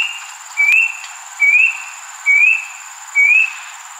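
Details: Rusty-breasted cuckoo flying around trees on a June evening at Jurong Eco Garden, Singapore, gives short, clear upslurred whistles, four in four seconds, evenly spaced, over faint high hiss.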